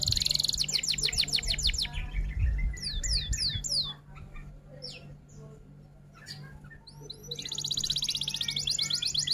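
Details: Hard-singing F1 canary in roll and 'tembak' style for a tutor recording: long buzzy trill, a run of rising whistled swoops, scattered chirps, then another sustained rapid trill, with low rumble underneath.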